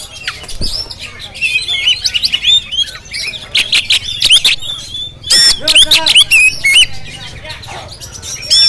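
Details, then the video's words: Oriental magpie-robin of the Jampang type, Indonesia, delivering loud, ringing whistles and chattering chirps in bursts, some notes harsh and broad, with brief pauses between phrases. "Penampilan Kacer JAMPANG yang Tampil Menggoda"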